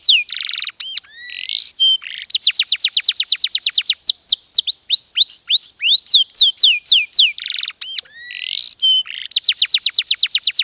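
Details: A domestic posture canary sings in a continuous flow. Rapid high trills alternate with short buzzy notes and sweeping slurs, and several tours are repeated in turn.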